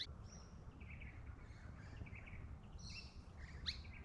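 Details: A Fuscous honeyeater calling from tree foliage in woodland at a travelling stock reserve near Barraba, NSW: short, bright chirping notes and a quick sharp upslurred note, over a low rumble of wind or distant traffic.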